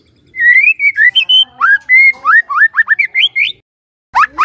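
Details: White-rumped shama morning song, played to make a silent shama sing: flowing whistled phrases, a sustained steady whistle, then a series of rising slurred notes climbing higher, ending with a sharp burst.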